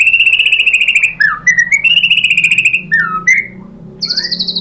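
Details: A white-rumped shama sings a lure song to make rivals respond: rapid buzzing trills at steady pitch, interrupted by downward-sliding whistles, then a high thin trill at the end.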